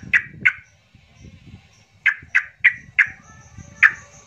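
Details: Yellow-vented bulbul in an agitated lure song meant to make silent bulbuls sing: a pair of sharp downward notes, a short gap, then four more in quick succession and a final one, over a faint low rumble.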